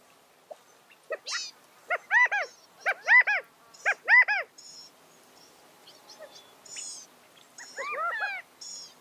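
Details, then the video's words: California quail calling with a run of strong, downward-arching notes grouped in twos and threes around the middle, followed by softer scattered chirps and a final burst of overlapping arched calls. "California Quail Bird Sound, Bird Song, Bird Call, Bird Calling, Chirps"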